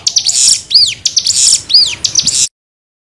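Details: Cigun nembak-style tutor song: two arched whistles separated by buzzy high bursts, then the song cuts off abruptly into silence.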